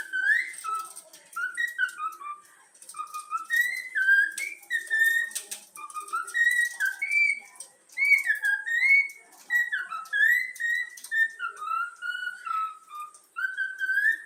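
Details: Young yellow-cheek cockatiel, a pet trained to whistle the Flamengo anthem, performing it indoors: a continuous run of clear, melodic whistled notes that slide up and down in short connected phrases, with a faint hiss in the background.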